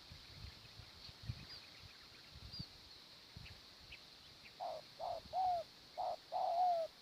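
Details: Spotted dove calling during morning decoy trapping, with wild birds feeding on the ground: after quiet rustling, a series of low coos begins midway, short notes alternating with longer falling ones. A steady high insect hiss and faint chirps run throughout.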